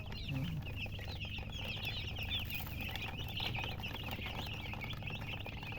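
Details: Loud chirping from newborn chicken chicks: a continuous flock chorus of sharp, high, quick peeps overlapping one another, heard over a constant low droning hum.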